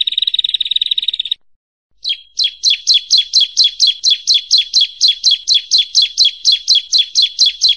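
A bar-winged prinia gives a high, rapid buzzy trill, pauses, then repeats loud, sharp, high chipping notes about four times a second.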